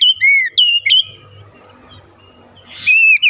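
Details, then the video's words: Oriental magpie-robin calling with rhythmic song: a few loud whistled and slurred notes at the start, a quiet gap with faint low background rumble, then a bright whistle resumes at the end. "kicauan Kacer memanggil penuh irama"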